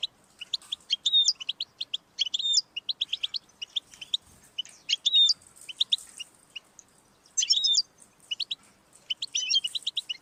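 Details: European goldfinch in full song, played to get a pet goldfinch singing: long flowing sequence of quick chirps and twitters broken by rolling buzzy trills, lively and unbroken for ten seconds.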